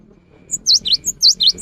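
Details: Short afternoon phrase from a cinereous tit, the kind said to provoke other tits to sing: high notes alternate with lower swooping ones in a quick bouncing rhythm, about six notes in a second.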